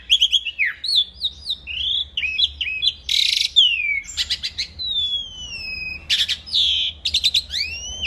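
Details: Asian pied starling singing steadily as a training recording, mixing wavering mid-pitched whistles, loud buzzy bursts and long drawn-out whistled slurs in a varied, continuous phrase.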